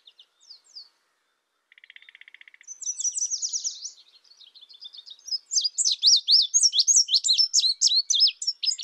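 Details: Indigo bunting with a couple of thin high notes, a low buzzy trill, a fast rattling phrase, then a loud run of sharp, rapidly repeated paired chirps.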